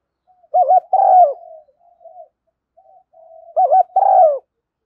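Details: Spotted dove call played as a lure to excite a decoy bird; two loud phrases about three seconds apart, each a rapid wavering coo then a sustained falling coo, linked by soft, level murmured cooing.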